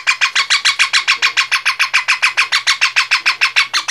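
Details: Parrot giving a fast, steady series of harsh, broadband chirping notes, about three and a half per second, evenly spaced and each with a bright, buzzy, squawk-like quality.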